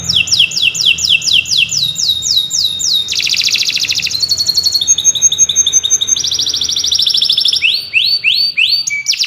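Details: Steady canary song for training other birds, changing phrase every second or two: repeated downslurred whistles, a harsh buzzing roll, sustained rapid trills at several pitches, then rising swept notes; no other sounds stand out.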